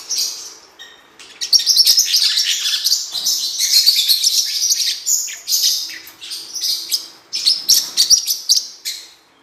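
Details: Blue-winged parrotlet singing a continuous stream of shrill chirps and rasping twitters, starting softly and then running rapidly, with about four notes each second.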